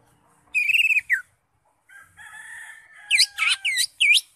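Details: Greater green leafbird in ngekek song: a rapid trilled burst of wavering high notes, a pause, a drawn-out buzzy phrase, then four loud sharp downslurred whistles near the end.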